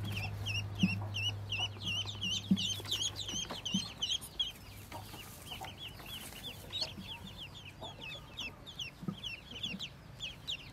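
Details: Newly hatched yellow Muscovy ducklings, a brood of 25 from a white mother: a dense chorus of high, down-slurred peeps repeated almost three times a second, with soft low thumps and a brief hum.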